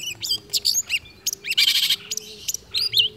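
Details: A long-tailed shrike in full mimicking song, delivering quick varied high chirps, whistles and a scratchy buzzing burst in the middle, steady and unbroken.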